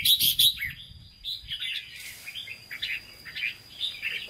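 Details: Red-whiskered bulbul, caged, singing Hue-style 'hót ché': a loud trio of high notes at the start, followed by quieter, steady chirped warbles.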